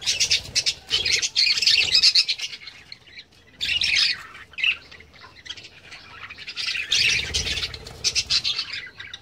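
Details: Captive budgerigars kept on a home-garden farm chatter in bursts of harsh, high squawks and warbles, several birds overlapping with short pauses between bouts.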